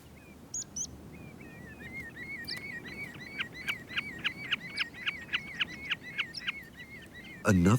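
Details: A common snipe in summer breeding grassland in Iceland gives a steady run of sharp, mid-pitched chipping notes, about four a second, over a low wind rumble; a loud human burst cuts in at the end.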